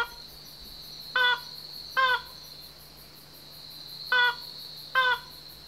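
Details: Slaty-legged crake (Rallina eurizonoides), also labelled Banded crake, calls from a dark thicket on Yonaguni Island after an hour's wait: four short, harsh nasal notes in two pairs, each about a second apart, over a steady high insect drone.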